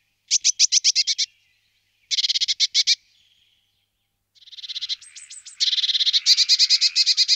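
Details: Eurasian blue tit, several bursts of rapid harsh high chattering notes, ending in a long continuous buzzy trill.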